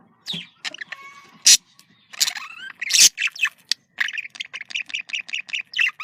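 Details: Budgerigar communication calls: sharp chirps and harsh squawks at first, then a rapid run of short, evenly spaced high chirps in the last two seconds.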